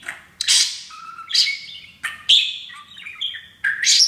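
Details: Happy pet male parakeet practicing taught English phrases while perched on a new playground; a string of sharp chirps, raspy squawks and rising whistled notes in separate bursts with brief gaps.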